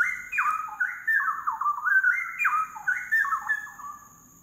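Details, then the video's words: A Straw-headed Bulbul sings a loud, bubbling, liquid warble of tumbling rising and falling notes, almost continuous, over a faint steady high-pitched insect hum. "Straw-headed Bulbul Singing"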